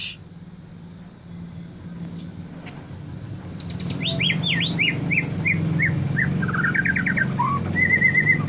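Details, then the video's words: Agitated white-rumped shama gives a fast, high, descending series of repeated notes that breaks into slurred whistles and a final long whistle, over a low rumbling background. "Murai batu mudah emosi"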